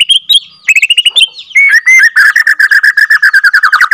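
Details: Second-generation captive-bred white-rumped shama from Borneo, its ngerol song meant to stir rival shamas: choppy whistled and clicking notes first, then two clear rising whistles leading into a long, fast, pulsing trill that drops slightly at the end.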